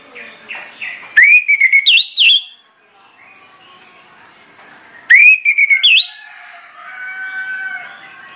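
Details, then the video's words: Orange-headed thrush lure song to get other birds singing. Two loud phrases, each a rising whistle breaking into quick notes, come about four seconds apart, with faint softer notes around them. "PANCINGAN ANIS MERAH NGEPLONG NGOTOT YANG LAIN AUTO NGIKUT"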